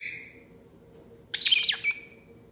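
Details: Two pet lovebirds playing and being silly together: a faint thin whistled note at the start, then a loud, harsh, squawky burst of chattering chirps lasting about half a second, ending with a shorter squeak.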